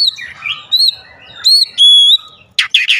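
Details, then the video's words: Oriental magpie-robin (kacer) lure for daily singing: soft warbling followed by a loud, pure sustained whistle and a couple of harsh raspy notes at the end. "pancingan harian Kacer langsung gacor"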